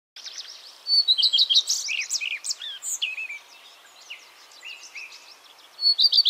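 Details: Common redstart singing in the Netherlands, a quick, high, jumbled phrase of twittering and scratchy notes, then a short bright trill after a pause; otherwise quiet.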